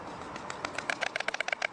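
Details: White storks at a nest in Vetschau at 11:45 am, during alarm and feeding: a quiet run of dry, rapid clicking pulses that grows steadier and quicker, about a dozen per second, over a soft background hiss.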